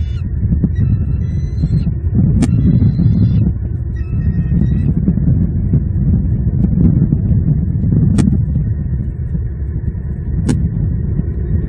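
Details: Bald eagles in Southwest Florida on the nest at evening, January 11, 2022, both parents feeding two already full eaglets, filmed by a live nest camera; high thin chittering notes in short bursts over heavy low wind rumble, with occasional sharp clicks.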